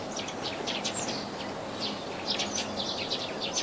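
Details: Sparrows feeding give short, high chirps in quick, irregular bursts, several birds overlapping, over a steady hiss of background noise.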